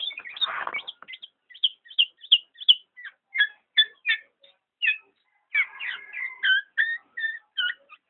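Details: Black-naped oriole calling in a series of crisp, high chips and short slurred phrases, spaced irregularly, ending in a denser chattering passage.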